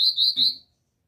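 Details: Brief fragment of Copper seedeater song in the pure Dó Ré Mi style, used to stimulate a captive bird: three bright, closely joined whistled notes at a steady high pitch, fading quickly. No other sounds.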